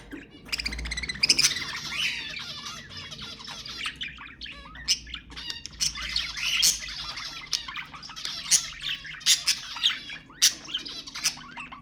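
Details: Budgerigar chatter meant to encourage breeding, a long run of continuous warbling with rapid clicks and repeated loud sharp squawks, busiest in the second half.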